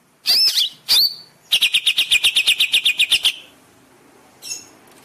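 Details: Master song of the Greater green leafbird (cucak ijo), meant to train caged birds: two looping upslurred whistles followed by a steady series of about fourteen rapid clipped notes, then a faint short call.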